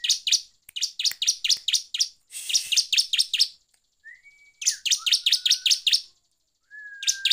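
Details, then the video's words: Shrill rapid chirping of a bar-winged prinia in gacor ngeplong style, played to provoke rival prinias: long trains of sharp, high notes about four per second, a short noisy rasp, thin whistled slides, then more chirp runs. "PANCINGAN CIBLEK GACOR NGEPLONG"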